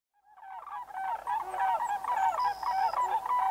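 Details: Sandhill cranes in North America giving a rolling, trumpeting call: overlapping rattling, bugled notes building after a quiet start into a dense chorus, with faint high thin whistles of small birds above.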